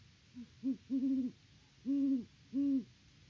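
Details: Great horned owls at their nest tree, filmed by a farm live cam in Peabody, Kansas, on October 17, 2023: a soft, low hoot sequence with one short note followed by four deep, even hoots. A faint background hiss runs throughout.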